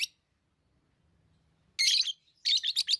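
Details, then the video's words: Chirping of pet lovebirds: a short opening note, a silent gap with faint low hum, then a long buzzy shriek followed by a rapid string of four shrill chirps. "Love birds Sounds | lovebirds chirping sounds"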